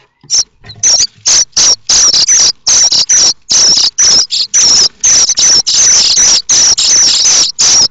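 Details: Common starling nestlings in a nest at Théding, France, on 7 May, begging as they expect a parent bringing food; loud, harsh, high hissing squeals in rapid bursts, several chicks overlapping in near-continuous chorus.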